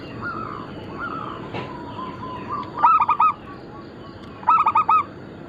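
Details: Faint distant cooing, then two loud bursts of four quick rolling coo notes about one and a half seconds apart, from local Bangkok-cross zebra doves in lure and tutor material.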